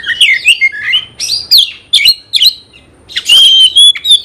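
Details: Oriental magpie-robin (kacer), a caged bird singing to provoke fighting: short bursts of rich warbled whistles and sliding notes separated by pauses, ending in a long loud level whistle and a final chirp.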